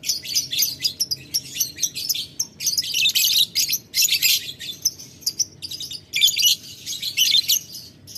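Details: Lovebird ngetik ngekek panjang used to call a rival: near-continuous rapid, harsh high chatter of squeaks and clicks with only a few short pauses.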